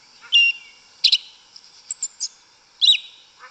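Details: Yellow-legged thrush singing in the forest, a wild-type 'canto mateiro': separate short phrases of bright whistles and sharp chirps, each about a quarter second, spaced irregularly over a steady high background hum.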